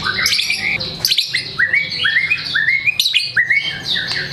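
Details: White-rumped shama in vigorous form showing off its song material: clusters of bright high chips followed by a string of short upward-curving whistled notes repeated about twice per second.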